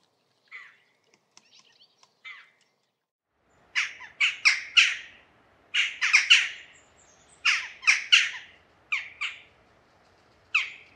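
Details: Jackdaw, Corvus monedula: two soft, isolated chak notes, then short, sharp, squawky calls in quick clusters of two or three, with brief pauses between bursts, over a quiet background.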